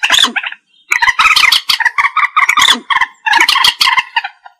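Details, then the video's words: Trapping lure of a common moorhen, or Trích Ré: a short burst of rough notes, a brief pause, then a long continuous cackling chatter of rapid, harsh notes, with clean, quiet surroundings. "Tiếng chim Trích Ré(Kịch) | The sound of the bird Gallinula chloropus"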